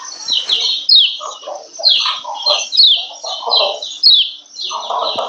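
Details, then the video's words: Arousal call of a female lemon-bellied white-eye, the 'ciak ciak' that prompts males to sing: bursts of high, slurred chirps repeating roughly every second, mixed with lower grainy chattering and a few faint clicks. "Ciak Ciak Kecial Kuning BETINA Ampuh Naikin BIRAHI Bikin Kecial RAJIN BUNYI"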